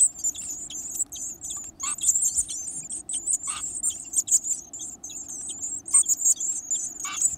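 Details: Varied tit chicks with a hearty appetite taking large insects: continuous high buzzy begging, swelling into louder, harsher bursts every second or so, with faint clicks.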